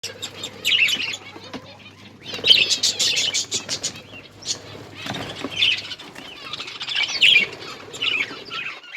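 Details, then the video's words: Captive finches chirping while eating their favourite egg food, recorded October 21, 2023; bursts of high, twittering chirps with quiet pauses between groups, plus light rustling and pecking sounds. "My Finches eating favorite food happy to eat eggfood"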